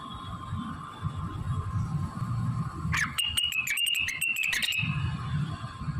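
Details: Blue-winged leafbird in active song, its repertoire filled with magpie-robin, canary, prinia, ciblek, kapas tembak and cililin imitations: after hum and rumble, a two-second run of quick, regular ticking notes riding on a bright warbling tone.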